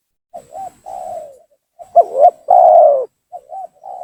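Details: Energetic spotted dove lure phrases used for trapping, intended to enrage rivals: repeated patterns of a wavy soft coo, two accented notes and a long loud coo that slides down in pitch, running almost without pause.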